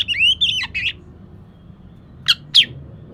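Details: Oriental magpie-robin song played to coax a reluctant caged bird into singing: two or three bright warbled whistles, a pause of about a second, then two sharp high squawky notes.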